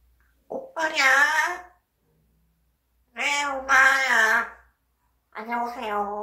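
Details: A pet parrot mimicking speech indoors: three drawn-out, voice-like phrases with rich harmonic bands, separated by short silences, the middle one longest, like a stretched shout.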